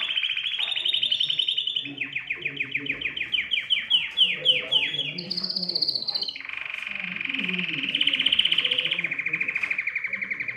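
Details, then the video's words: Singing canary, excited, performing to encourage other birds to sing: a run of quick falling sweeps about four per second, then a brief higher burst, then a steady buzzy rolling trill to the end. "تغريد كناري يحفّز الطيور على التغريد"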